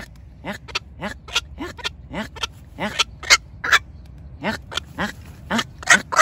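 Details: Black-crowned night heron decoy calls used to call the flock: harsh, short, hoarse croaks, each sliding downward, given singly or in quick pairs at irregular intervals of roughly half a second, over a faint low hum.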